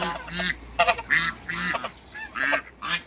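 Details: Hybrid Cayuga and female Muscovy ducks meeting each other after creating a new hybrid: loud, harsh, nasal quacking calls in uneven bursts, about six honking notes in three seconds, each rich and buzzy.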